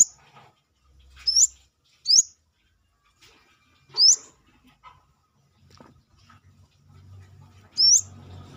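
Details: Brown-throated sunbird calling freely outside the cage: four shrill, quickly rising whistled notes at irregular gaps of one to four seconds, with light ticking sounds between.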